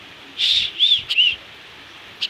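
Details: Pet common myna learning to speak, kept at home in Bangladesh: three clear high whistled notes, the middle ones slightly arching, followed by faint quick chirps, with a person coaxing it between phrases.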